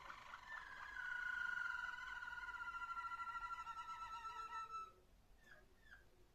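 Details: Waterslager canary singing, recorded 21 December 2025: one long, sustained whistled tone with a rapid pulsing tremble lasting about four seconds, then softer short notes.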